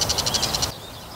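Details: Bull-headed shrike, with calls gathered from several recording years: seven rapid, evenly spaced high chattering notes over about 0.7 seconds, then quiet.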